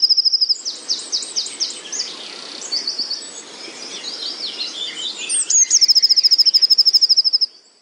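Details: Eurasian wren by a calmly flowing river in evening sun, with a blue tit and willow warbler also present: loud, rapid song of high, tumbling notes opening and ending with fast, dry trills over a soft hiss.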